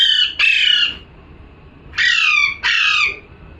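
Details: Parrot calling: four harsh, loud squawks in two close pairs, each a rich, raspy burst that falls slightly in pitch, with a quiet pause between the pairs.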